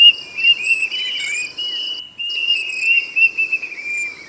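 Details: Plaintive cuckoo whistling loudly in long, even, clear notes that drift gently down, a short pause near the middle, insects droning high throughout.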